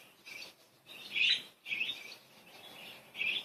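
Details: Playful budgies keep up a steady, high warbling chatter, broken into short phrases of bright chirps and scratchy notes with brief gaps between them.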